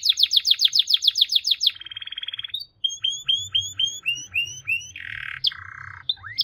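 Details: Canary delivering a rapid run of repeated bright notes, a buzzy low trill, a string of downslurred whistles, then harsh nasal bursts and rising notes; faint low background hum.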